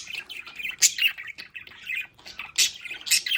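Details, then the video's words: Pet budgerigars chatter in a home play area: rapid scratchy warbling, strung with sharp high squeaks and short shrill bursts at irregular intervals. "Sonidos de Periquitos Australianos en casa"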